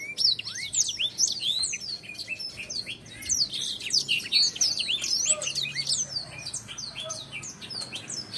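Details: Black-throated canary (Crithagra atrogularis) song used as a master recording for training, a fast, high, rambling song of sharp chirps, sweeps and trills, almost without pause, over a faint low hum.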